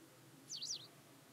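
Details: A pied wagtail, possibly a hybrid, recorded on 4 May 2020 at Klokbekerweg, Ottoland, gives one quick, high, slurred call that wavers up and down in pitch, over faint low background hum.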